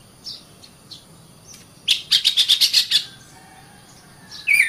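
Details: Oriental magpie-robin master song for training caged birds, mostly quiet with scattered faint notes, then a burst of about seven sharp, fast-repeated chirps and a final slurred whistle.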